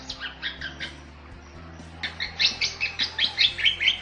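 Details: Jalak Bali chirps in soft paired notes, pauses briefly, then bursts into a louder fast series of bright twittering notes, roughly two or three per second.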